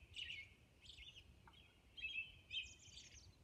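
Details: At dawn on Orcas Island, a Robin sings quick whistled phrases that mix mellow warbled notes with high, thin squeaky notes, with short pauses between and a soft low rumble behind.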